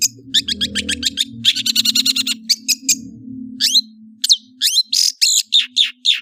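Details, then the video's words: Long-tailed shrike song of fast repeated chips and a harsh buzzy trill, then varied whistled slurs and rasping notes at uneven intervals, with a steady low hum behind. "CENDET MEWAH ANDALAN Kicau Ocehan"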